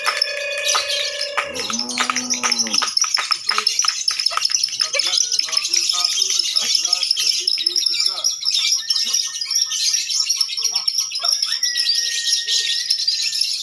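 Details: Lovebirds at a bird singing contest, the ngekek style: dense, continuous high-pitched chattering and shrill tweets in a steady unbroken stream, with a man's voice and a low hum at the start and several birds overlapping.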